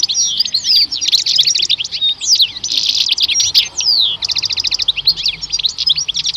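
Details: Two male European goldfinches at the Rumbeke bird market on 16 October 2021 sing a fast, tinkling stream of high twitters, liquid trills and buzzy notes, run together almost without pause, with no other sounds.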